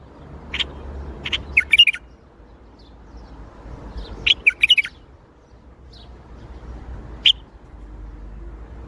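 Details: Baghdadi-style bulbul song with lead-in notes and then rapid bubbling chirps in two phrases, ending with one isolated clear note. A steady low background hum runs throughout.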